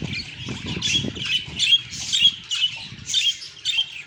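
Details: A group of pet budgerigars chirp and chatter to each other in quick, scratchy bursts of high warbling notes, roughly twice a second.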